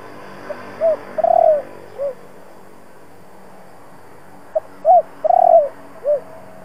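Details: Spotted dove cooing in the 'thổ' style, meant to rouse wild doves: two four-part phrases, short notes, a long throbbing coo and a lower closing note, over a steady background drone.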